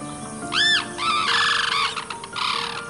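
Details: Sarus cranes, lifelong pairs nesting in farm fields of north India, give loud, arching trumpeted calls in three bursts ringing with harmonics, over a faint steady musical drone.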